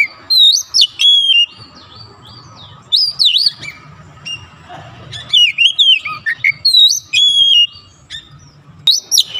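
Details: Kacer, the magpie robin, singing freely after one lure: clear whistled phrases with zigzag slurs come in several bursts, with soft low background noise between them.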